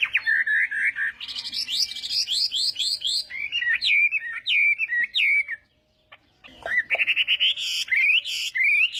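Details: Morning voice-training song of a Chinese hwamei, varied whistled phrases: a steady low note, a series of rising slurs, brief pause, then loud rich notes resuming.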